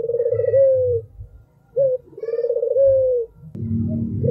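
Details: An albino spotted dove gives a long pulsing coo ending in a smooth downward slide, then a short bright note and another long coo, with a low background rumble rising at the end.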